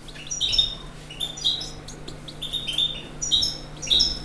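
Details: European goldfinch delivering a continuous, fast run of high, liquid twitters and thin whistled notes, repeated in quick succession over a light background hiss.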